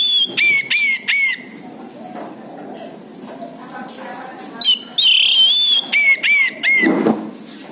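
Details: Orange-headed thrush singing as a lure to draw replies from a silent bird: series of clear, downward-slurred high whistles in quick groups, a rich quavering whistled phrase midway, and a low rough sound near the end.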